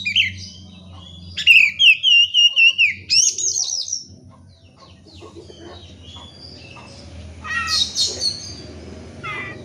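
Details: Oriental magpie-robin song played to get lazy birds singing: a fast run of sharp repeated whistled notes with a sustained sweet phrase, then quieter scattered notes and a softer burst near the end.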